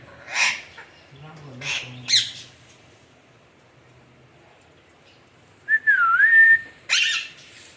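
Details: Alexandrine parakeet mixing rough squawks with a clear whistled note that dips and then levels off, followed by another harsh squawk; a low murmur is heard early on.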